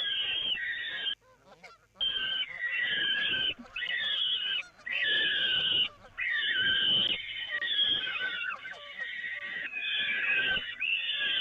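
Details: Peregrine falcons during feeding at the Evoluon nest grating, 13 May 2018: repeated harsh, rasping cries in bursts of one to two seconds with short silent gaps and faint clicks between.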